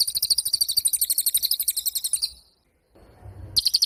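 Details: Pied fantail in lively, energetic song: a long run of rapid, very high, sharp chattering notes, then a brief pause with a low rumbling noise, then the high rapid chatter resumes.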